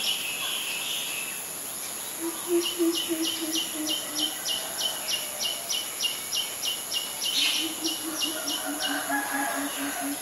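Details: Greater coucal in Ubon Ratchathani, Thailand, May 22, 2022, recorded on a Nikon P1000: two runs of deep, hollow hooting notes in steady series, with regular high ticking insect-like pulses and other birds chirping between.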